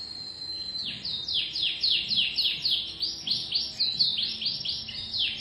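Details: A canary sings a lively series of high, sharply descending whistled notes repeated quickly in a rhythmic run, with trills at the end.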